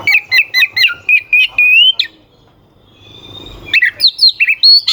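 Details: Oriental magpie-robin song used to excite rival birds: a regular series of loud clear whistled notes ending in a long rising whistle, a pause, then bright varied sharp whistles.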